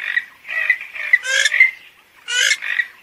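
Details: Purple swamphen giving harsh, nasal squawking calls in short bursts, some broad and raspy, others narrower and honking, spaced irregularly over a few seconds.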